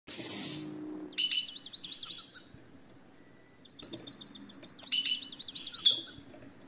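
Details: European goldfinch song played to prompt a silent male goldfinch to sing: bright twittering phrases with rapid trilled notes, high tinkling whistles and buzzy chirps in bursts separated by short pauses.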